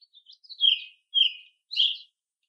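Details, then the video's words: American robins of different ages foraging and singing among other birds: a few soft high notes, then three clear whistled phrases, each dropping slightly in pitch and spaced about half a second apart. "American Robin - Bird Song and Call"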